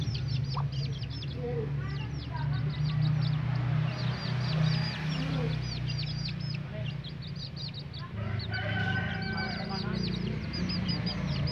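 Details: Village chickens (ayam kampung), a hen and her chicks getting ready to sleep: rapid, overlapping high downward-sliding peeps from many chicks, occasional lower clucking from the hen, and a steady low hum throughout.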